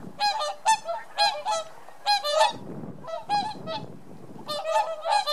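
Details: Whooper swans wintering in Holland after arriving from Scandinavia give loud, bugling trumpet notes: short honks in quick pairs and triplets, with several birds calling over one another.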